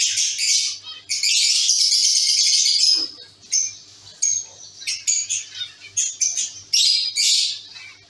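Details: Caged colony of zebra finches giving dense, nasal, trumpet-like calls, with a long run of overlapping chatter early on, then short clipped beeps repeated in quick succession.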